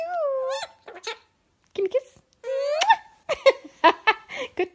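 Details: A male cockatoo kept as a pet mimics speech indoors with a long wavering tonal phrase, then several short, sharp syllables and clicks with brief gaps.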